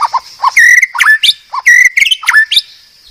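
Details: Medan white-rumped shama master song for cage-bird training: rapid phrases of low mellow notes leading into bright, slightly rising whistles, repeated twice in quick succession.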